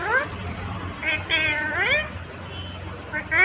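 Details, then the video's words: Ringneck green parrot talking: a connected series of harmonic, speech-like syllables, some rising and curving, with a low hum in the background. "Natural Sound of Talking Ringneck green parrot"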